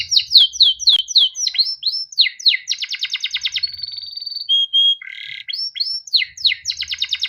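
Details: Canary song used as a master recording to train young canaries to sing: rapid repeated downslurred whistles, fast buzzy trills, a long steady whistled note, then more descending chirps, with faint low thumps.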